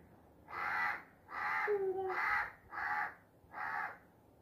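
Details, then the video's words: Crow giving five raspy, nasal caws spaced roughly every second, evenly loud, with a short thin whistled tone sliding slightly downward between the second and third calls, against faint background noise. "Crow sounds || Natural Crow Bird Sound Effect"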